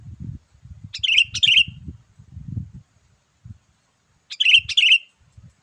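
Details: Sooty-headed bulbul call played to lure wild birds: two bursts of bubbly, liquid whistled notes, each a quick pair of phrases, separated by a few seconds, over low knocking and thumping noises.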